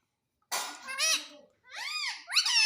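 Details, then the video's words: Talking pet Indian ringneck parakeet that says mummy and papa: two harsh, voice-like phrases with arched harmonic contours, separated by a short pause, recorded indoors. "Talking Parrot Mummy Papa"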